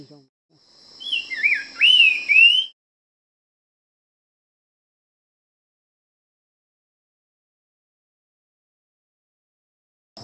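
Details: Nava's Wren in karst rainforest near El Ocote, Chiapas, Mexico, in mid-March: a brief phrase of clear, loud whistles sliding up and down, under two seconds, over a thin steady high buzz, then silence.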